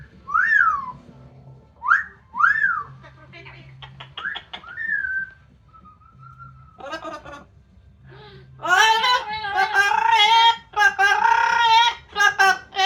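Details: Amazon parrot kept as a pet, making noise outside while drying off after a shower on a sunny day: several rising-then-falling whistled notes and a flat steady whistle, followed by loud, harsh, voice-like squawking phrases.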